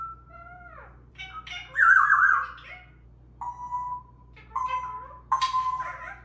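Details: Three parrots conversing with squawks and scolds: a descending whistle opens, then a loud rasping call and several flat, steady whistled notes, with a low background hum.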